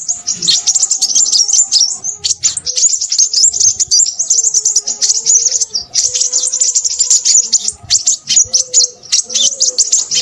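Crimson sunbird in a noisy, rapid stream of thin, very high chirps and twitters, almost without pause, over faint low hooting or cooing notes in the background.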